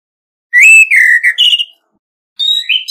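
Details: Orange-headed thrush competitive song: a loud phrase of clear, slightly buzzy whistles stepping down then up, a long pause, and the start of a second phrase with rising whistled notes; background silent.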